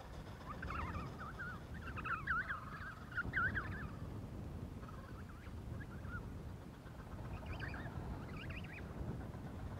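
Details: In Adelie Land, Antarctica, during January, an emperor penguin chick begs its parent for food with wavering whistled warbles in a long run early on, then a shorter burst near the end, against constant low rumbling background noise.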